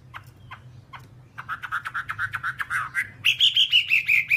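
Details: Whambie master song for tutoring caged songbirds. A few sparse sharp ticks lead into a fast run of rapid buzzy notes that steps up into a higher, brighter series of repeated chirps. A low steady hum sits underneath.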